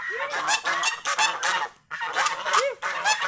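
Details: Happy domestic geese out in the fields around the house; bursts of loud, rasping honks come in quick clusters, with a short lull midway before the clamour resumes, including a few arched, bending notes.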